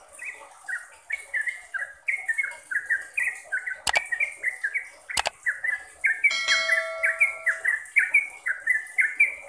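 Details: Caged-bird training trucukan from a sooty-headed bulbul: rhythmic whistled slurs repeating steadily, interrupted by two sharp clicks and a brief sustained instrument-like tone in the middle.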